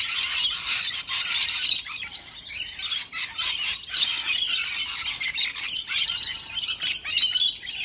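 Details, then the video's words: Australian Rainbow Lorikeets jostling over a bowl of warm nectar mix sweetened with honey give harsh, high squeals and screeches in dense bursts, with brief dips between noisy surges across nearly eight seconds. "Rainbow Lorikeet feeding frenzy"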